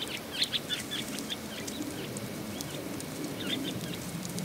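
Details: In winter, Asian rosy finches, several birds seen only a few metres away, give short, high chirping notes in quick scattered bursts over a steady low rumble of wind and some flapping.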